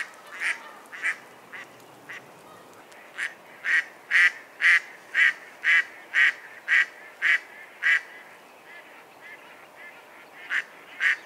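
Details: Mallard, Anas platyrhynchos, calling with a steady sequence of rough, nasal quacks about two per second, building to louder notes mid-sequence, pausing briefly, then resuming with a few more quacks.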